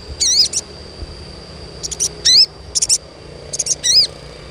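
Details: Crimson sunbird, known locally as sogon, giving calls to stimulate young birds: very high, wavering, slurred chirps that dip and rise, mixed with quick double and triple ticks, in irregular bursts over faint hiss.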